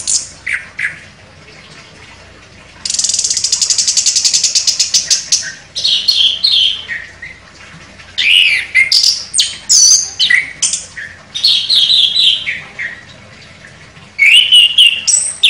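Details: Champion contest chestnut-capped thrush in full song, delivering sharp, varied phrases: a fast rapid-fire trill, bursts of high twittering and mimicry-like notes, and repeated clear whistles separated by brief pauses.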